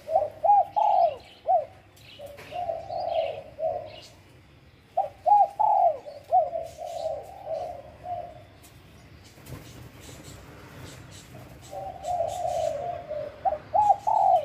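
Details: Wild Spotted dove from Bang Bai Mai, Surat Thani, Thailand, cooing in soft, slurred, rolling phrases grouped into bouts separated by pauses, with faint chirps of other birds in the background.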